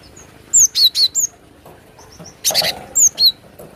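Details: Cinereous tit recorded as a lure for attracting birds: bright slurred whistles sweeping down in a quick group of four, a pause with faint thin notes, then a short harsh buzzy burst followed by two more falling whistles.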